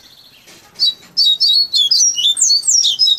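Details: Caged Double-collared Seedeater (coleiro baiano), tutored from a nestling for three to five months, sings its fluted trained song: after a faint opening, a quick run of high, clear whistled notes in rapid linked phrases.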